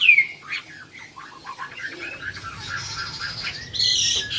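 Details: Chinese hwamei, first-prize bird no. 37 in the Mỹ Đình songbird contest final on 19 July 2020, sings rapid, varied whistled and chirping phrases with a sharp high opening note, over busy chatter of other birds.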